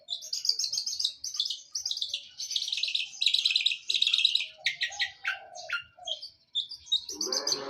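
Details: Long-tailed shrike in a fighting mood, imitating sparrows in a fast, scratchy string of chattering chirps and twittering phrases, with short pauses and some harsh notes near the end.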